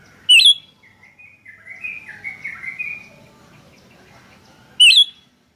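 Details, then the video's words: Chatty sooty-headed bulbul exchanges used as lure sound: a single sharp, twisting chirp, then a lower, soft warbling phrase, then after a quiet pause another bright chirp, over faint low background hum. "Suara PIKAT Burung Kutilang GACOR Bersautan || Suara Masteran Kutilang Terbaik"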